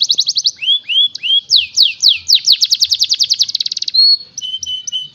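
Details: Canary song opening with rising whistled slurs, then falling notes that speed up into a rapid chattering trill, a sustained pure whistle, and a few short clipped notes at the end.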